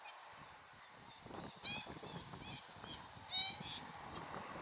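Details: Least grebe, with its chicks at Alagados do Vale wetland, Vila Velha, Espírito Santo, Brazil, giving two short nasal honking calls about two seconds apart over steady high insect whine and low rumble.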